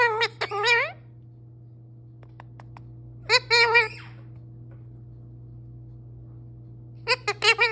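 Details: Male parrot kept as a pet chattering nonstop: three clusters of rapid, raspy, voice-like syllables separated by quiet gaps with faint clicks, all over a steady low hum.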